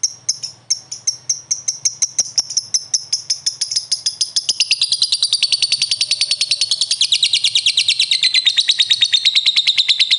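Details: Lovebird answering another with a long ngekek: rapid high chirps build louder and faster, merging into a dense shrill trill that drifts downward in pitch toward the end.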